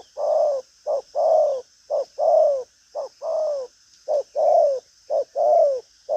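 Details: Loud cooing from a caged spotted dove in the 'thúc gù có lèo' style. Rhythmic low short-then-long coos, the long notes slightly sliding down, follow one another almost continuously, about one per second.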